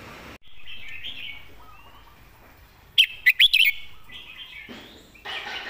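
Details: Red-whiskered bulbul tutor bird with one emphatic phrase of four loud, clipped, high notes in under a second, surrounded by faint twittering and brief rushes of noise.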